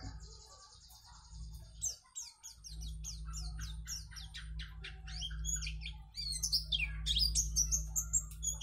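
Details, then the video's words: White-eye in lively, chatty song, used as a tutor recording to train young white-eyes to sing long phrases. Rapid, thin, high chirps and quick downward-slurred whistles tumble almost continuously and grow busier toward the end, over a steady low hum. "pleci gacor dor || cocok untuk masteran pleci agar cepat buka paruh"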